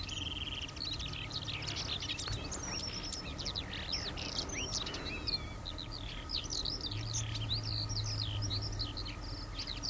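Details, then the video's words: Eurasian skylark pouring out a long cheerful song of rapid chirps, rolling trills and twitters without pause, while road traffic hums steadily in the background. "THE CHEERFUL SKYLARKS"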